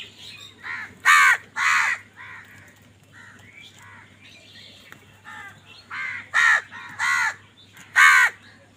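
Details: Crows fighting over food give loud, harsh, nasal caws, singly or in pairs at irregular intervals, with softer caws between them and a faint steady hum behind.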